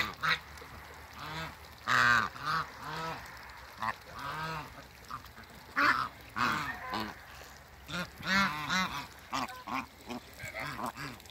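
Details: African geese, a couple greeted on a waterbird farm, honk repeatedly in arched, harmonic-rich calls, sometimes in quick doubles and triples, with background hum between the bursts.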